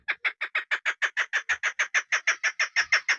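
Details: Chukar partridge hen kept as a hunting decoy, calling a quick, regular series of loud, full clucking notes, roughly six per second, with no other sounds.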